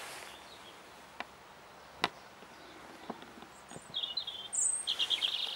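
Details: European robin singing in spring, March 2014: after a few faint clicks and knocks, a high, rapid warbling phrase of trilled notes builds over the final seconds, with steady background hiss.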